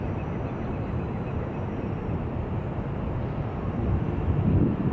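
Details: A steady, dense roar of engine or aircraft noise fills the recording and swells slightly near the end. No bird song or other calls can be picked out.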